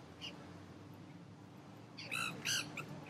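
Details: A flock of wild, feral Nanday parakeets feeding in crape myrtle trees in downtown St. Petersburg, Florida gives harsh, grating screeches: one faint call, then three or four loud squawks over a low hum.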